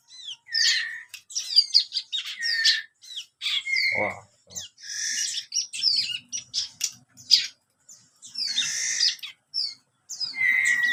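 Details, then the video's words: Young bar-winged prinia, 30 days old, chattering (ngeriwik) in rapid bursts: repeated clusters of high chirps and buzzy notes over about eleven seconds, with one loud harsh downward squawk near the middle. "burung ciblek kristal usia 30 hari sudah ngeriwik nembak nembak"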